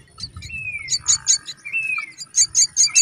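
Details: Brown myna, a parent bird feeding its chicks: long drawn whistles sliding gently downward, mixed with rapid, very high, rhythmic chirps repeated about twice a second, and a faint steady high tone throughout.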